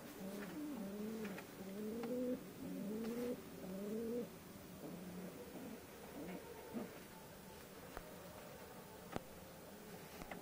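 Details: Natural pigeon voice: a run of soft wavering low coos repeated about once a second for four seconds, then fainter murmuring coos and occasional sharp clicks in a quiet indoor setting.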